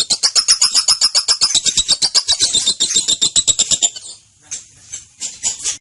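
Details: Young female lovebird ticking in a fast, regular ngekek run of about four seconds, then breaking into a few separate harsh squeaks; used as a lure and master for training other birds.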